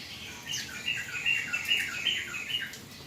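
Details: Rain-bathed, untrained ('bahan') yellow-vented bulbul giving a continuous bubbly warble of short, tumbling notes, several each second, sounding lively and liquid, with little background noise.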